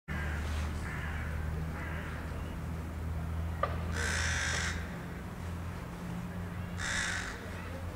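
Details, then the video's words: Birds cawing at Miladije: harsh, raspy caws, two loud ones about three seconds apart, with fainter croaks before them, over a steady low rumble. "Graktanje ptica"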